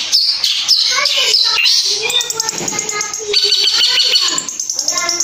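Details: Long-tailed shrike lure song intended to draw replies and full mimicry from other shrikes; hurried varied phrases of piercing whistles, scratchy chatter and falling notes, delivered in an uneven, rapid flow.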